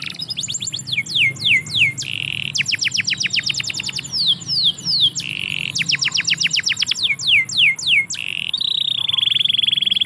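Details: Canary song recorded in a yard, alternating rapid repeated down-slurred whistles with short buzzy trills, phrases changing every second or two in a varied, continuous flow.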